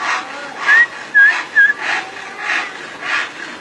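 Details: Common iora song, three short clear whistled notes near the middle, each slightly slurred, over a steady background hiss.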